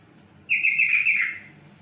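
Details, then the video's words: Yellow-vented bulbul (trocok) singing: a short bubbly phrase of slurred notes lasting about a second, bright and fairly high, over a quiet background. "Kicauan burung trocok"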